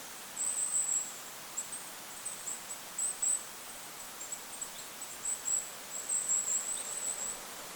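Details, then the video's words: Goldcrest calling in forest over a lake: very high, thin, sibilant notes in short clustered bursts scattered through the clip, over steady wind noise. "Goldcrest bird call in the forest! Goldcrest call with wind noise in the background."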